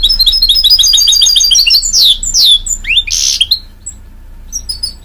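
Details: Goldfinch mule hybrid giving rapid repeated chirps, then loud downward-sweeping whistles and a short harsh buzz, followed by quieter scattered notes.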